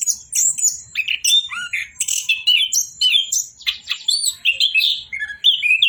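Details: Nonstop singing from an orange-headed thrush: dense, fluent warbling of rising and falling whistles, squeaky chirps and rough notes running almost without break.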